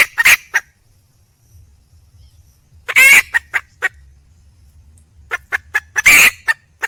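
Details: Female red junglefowl in the wild calling to attract a male, giving short groups of clipped clucks between long silences, each group led by a loud raspy squawk; otherwise quiet.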